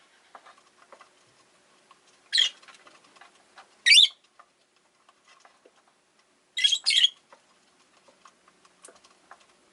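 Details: Five caged pet Rosy-faced lovebirds kept by a window: loud rasping chirps come in spaced bursts, one single, one higher and sharper, then a quick double, over quiet faint ticking calls.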